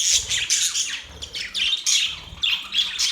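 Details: Budgerigars chirping, described as happy birds: dense overlapping high warbling chatter with squawky notes, in bursts roughly every half second, with no other sounds standing out.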